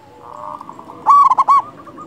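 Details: Local zebra dove with a big voice singing as a lure for other doves: faint repeated background coos, then one loud, bright phrase of four quick ringing coo notes lasting about half a second.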